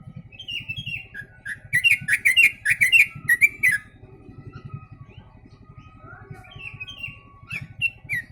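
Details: Yellow-vented bulbul singing, its song filled with imitated sooty-headed bulbul phrases: a fast run of bubbly, chirping mid-pitched notes, then quieter scattered slurred whistles, over a steady low mechanical throbbing.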